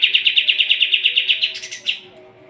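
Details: Sooty-headed bulbul singing as training material for competition birds: a quick series of about a dozen evenly spaced chattering notes, then a brief higher rushing flourish and one final note.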